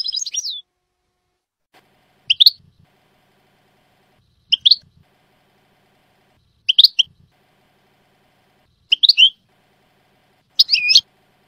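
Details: European goldfinch from a Jordanian-style training tape: short twittering chirp groups repeated about every two seconds, six bursts in all, separated by silence.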